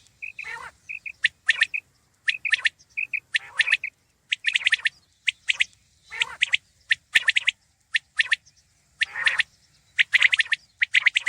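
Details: Batair, the common quail, gives quick triplets of short notes near the start. Loud, crowded bursts of scratchy chirping and squawks follow and fill the rest.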